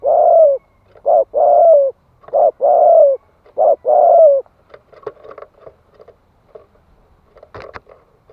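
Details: ['Spotted dove cooing to rouse wild males: a quick run of short and long coos in the first half, then rustling and scattered clicks with faint background noise.']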